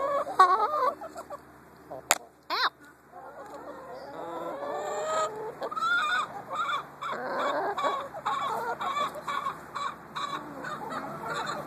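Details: Social, friendly farm hens that peck when they think food is being held: busy overlapping clucks and rising squawky calls, with a person's brief exclamations and handling noises.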